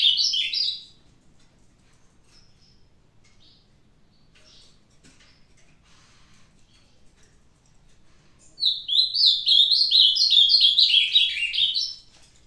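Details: Ultramarine grosbeak, an old kept bird, singing the Pedra Bruta song style, recorded 22/05/2022. A brief phrase ends at the start; after a long quiet gap comes a rich, fast, warbled phrase of slurred notes lasting about three seconds.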